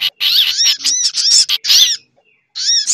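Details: Busy sunbird lure track blended with other bird lures: a burst of harsh, buzzy chirps and arched squeaky notes, a half-second pause, then more ringing chirps.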